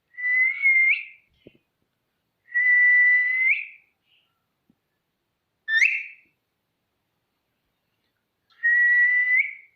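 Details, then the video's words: A green rose-ringed parakeet in a cage gives long level whistles of about a second, each ending in a quick upward flick, with one short rising squeak between them. "Gorgeous Green Talking parrots Having Fun on Cage/Funy Ringneck Ringtone"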